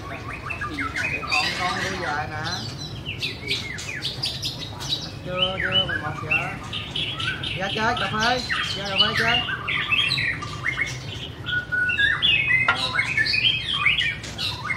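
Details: White-rumped shama song: dense, varied phrases of rich whistles, rapid trills and chattering notes, many rising and falling, delivered almost continuously, over a steady low hum.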